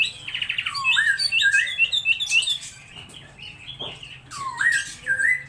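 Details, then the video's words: Laughingthrush song of short trills and bouncing whistled notes, a quieter gap in the middle, then a final drawn-out upslurred whistle. "Chim Mi hót đỉnh"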